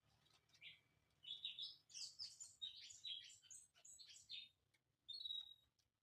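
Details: White-rumped shama from Indonesia singing: a quick run of varied high whistled and chirping notes, some slurred, for about four seconds, then a pause and one clear sustained whistle.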